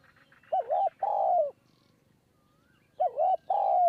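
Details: Spotted dove cooing from a perch in high forest at Kanchanaburi, Thailand, during decoy dove trapping, part of a very long bout of 170 coos; two phrases, each a short wavering note then a longer falling coo, with faint chirps behind.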